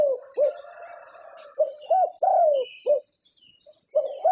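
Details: Champion Thai contest zebra dove, winner of many prestigious competitions, singing: soft low coos in a rolling phrase of short notes, an arched note and a long falling coo, repeated with a brief gap; faint chirps above.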